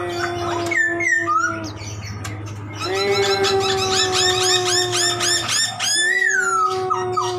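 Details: Poksay laughingthrush in busy full song: a few swooping whistles, then a fast run of short repeated notes, about four per second, ending in a long falling whistle, over a continuous low hum.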